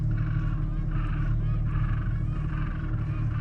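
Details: Penguins calling in Antarctica during a sailing voyage: a series of nasal, braying harmonic phrases about every half second, set against a steady deep rumble of wind or engine.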